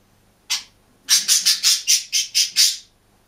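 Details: One budgerigar in a cage, singing and chirping: a single sharp chirp, a short pause, then a rapid even string of eight bright raspy chirps about a fifth of a second apart.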